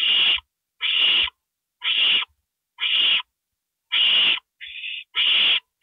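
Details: Nighttime owl nest scene, 2:05 AM on April 27, 2012, during a gopher delivery: six loud, coarse screeches at roughly one-second intervals, with one quieter, purer note near the end.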